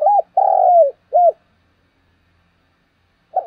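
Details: Spotted dove lure coo: a short hooked note, then a long sustained coo sliding slightly downward, then a brief arched final note, followed by silence and the start of the next phrase.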